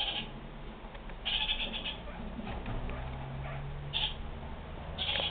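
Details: Kakariki (New Zealand parakeet) giving brief grating chatter notes at uneven intervals, separated by quieter stretches, with a soft low drone running underneath.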